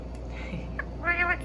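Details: A pet Indian ringneck (rose-ringed parakeet) indoors gives a brief, nasal, rising-and-falling chatter after a faint thin whistle, over a steady hum. It 'talks' to a router it is attracted to by its blinking light.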